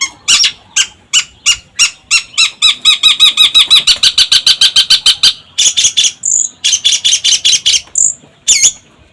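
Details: Long-tailed shrike pancingan: loud rasping notes that speed up into a fast, even rattle, pause, then resume with spaced notes broken by a few thin, whistled slurs.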